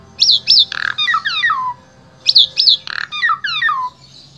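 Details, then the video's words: Asian pied starling singing in Wonosobo, Central Java, Indonesia, as a vocal tutor for other starlings: a quick phrase of high chirps and descending whistled slurs, given twice in a row about two seconds apart. "Jalak SUREN SUPER GACOR Full Isian Sangat Ampuh Dijadikan Guru Vokal Jalak Trotol"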